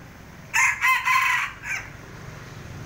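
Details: Crowing rooster at a house: a strong hoarse multi-part crow lasting over a second, heard over a steady low rumbling background noise.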